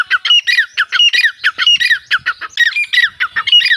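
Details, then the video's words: Rapid, rhythmic series of grating, ringing grey francolin notes, roughly three to four per second, each a short descending burst, delivered loudly and continuously. "5 five different gre teeter voice || teeter chicks boli || all teeter ki awaz"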